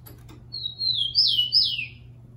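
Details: Fast encarte song of a caged tico-tico, used to warm up birds for singing: a few faint clicks, then a long thin whistle leading into two loud downslurred notes.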